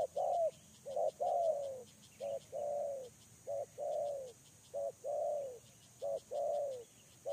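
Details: Caged lure spotted dove cooing steadily. Short clipped notes alternate with longer, slurred, slightly downward coos in paired phrases, roughly one per second, over a continuous high rhythmic ticking.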